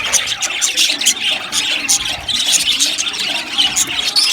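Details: A crowd of budgerigars in an aviary squeals and chirps in shrill, choppy bursts, forming a dense, noisy colony chatter.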